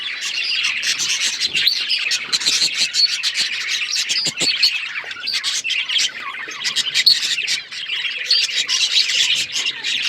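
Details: Chorus of pet budgies chirping, steady overlapping warbles, raspy squawks and quick tweets without a break for ten seconds.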